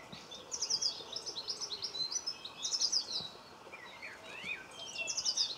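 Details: Garden linnet in Cornwall, recorded 26 November 2015, giving repeated bursts of rapid, high twittering notes roughly every second, with a few lower swooping chirps near the end.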